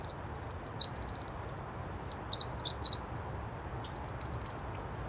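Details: Pacific wren song, from northern British Columbia, where it sings in rainforests in spring and summer: a long, very high, tumbling run of rapid trills and tinkling notes, shrill and slightly mechanical, with no pause.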